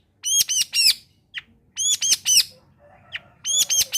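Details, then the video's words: Energetic long-tailed shrike, recorded as a lure to get lazy shrikes singing along: grating notes delivered in tight bursts of two or three, separated by brief pauses and a few softer single chips. "Suara Asli Cendet Gacor Kombinasi.. Solusi Pancingan tepat buat cendet malas bunyi agar ikut bunyi"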